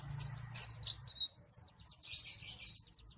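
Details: White-eye (pleci) from Malang producing five quick high downslurred chirps in about a second, followed by a softer rushing hiss-like passage.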